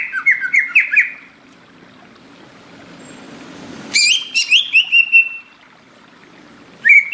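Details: Greater green leafbird song in a tropical forest setting: bursts of rapid, warbling whistled phrases, one at the start, a louder run of quick modulated notes midway after a brief noisy swish, and a short final note.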